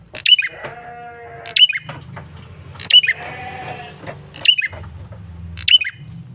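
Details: Male red-headed prinia giving an insistent lure call: high, snapping, falling chirps repeated roughly every 1.3 seconds, with drawn-out nasal bleat-like tones between them and a low rumbling background.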